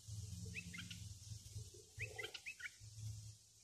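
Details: Bulbul serving as a decoy to draw wild birds, giving two crisp bubbling phrases of rapid up-and-down whistled notes about one and a half seconds apart, over low hum and hiss.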